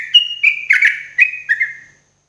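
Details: Sooty-headed bulbul singing in the morning, played as therapy for cage birds: a run of clear whistled notes around a steady pitch, some slurred and dipping, in quick bursts about every quarter second, with no other sounds.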